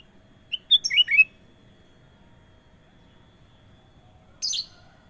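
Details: Sooty-headed bulbul with a rapid cluster of bright whistled and slurred notes lasting under a second, then silence, and a single short harsh, rasping note near the end.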